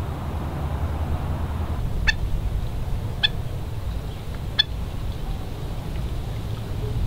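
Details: A Hawaiian stilt (ae'o) at West Loch Shoreline Park, Pearl Harbor, Oahu, at low tide on 16 March 2013 gives three sharp, nasal yelping notes about a second apart, over a steady low rumble of wind or distant surf.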